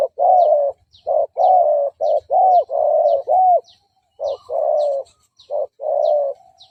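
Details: Spotted dove cooing as a decoy call to lure and provoke fighting males: low, mellow coos in bursts of about half a second, some with a rising-then-falling inflection, separated by short silences; faint high ticks between phrases.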